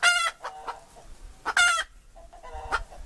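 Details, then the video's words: Hen calling: three loud, harsh, strongly harmonic squawks near the start, middle and end, separated by short soft clucks. "Poj qaib dib เสียงไก่ตัวเมีย เสียงจริง"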